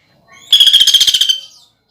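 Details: A contest-trained greater green leafbird gives one harsh 'nembak' shot in its woodpecker-fill song. A single loud, buzzy rattle of rapid pulses lasts about a second, set against otherwise quiet surroundings.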